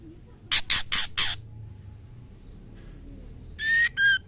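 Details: Female white-rumped shama inviting the male to mate, with four loud harsh rasps in rapid succession, a pause, then pure whistled notes at steady pitch.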